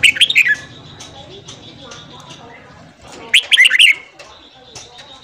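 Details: Morning song of a red-whiskered bulbul, played to train a newly caught bulbul's voice: two rapid phrases of bright, slurred whistles about three seconds apart, with softer scattered chirps and a faint steady tone between them.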